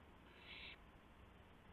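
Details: An owl gives a single short, breathy screech-hiss after midnight on April 7, 2016, during a gopher delivery with flapping and pouncing, over a quiet background hum.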